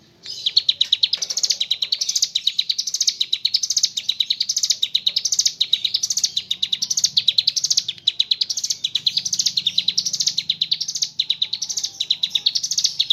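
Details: Ciblek gunung, the mountain leaf warbler, delivering a nonstop ngebren song in gacor style, filled with kapas tembak imitations: a long run of piercing high chattering notes in rolling, wave-like phrases with no pauses.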